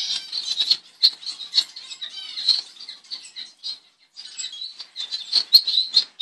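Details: Double-barred finch, also known as owl finch, native to eastern and northern Australia, in a steady high chatter of thin nasal buzzing notes, briefly pausing midway, amid light rustling.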